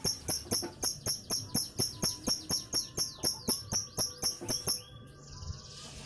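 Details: Long ngekek series from a lovebird, meant to stimulate other birds into song: about seventeen bright, high, clipped chirps repeated evenly roughly every third of a second, then stopping abruptly into faint background hiss.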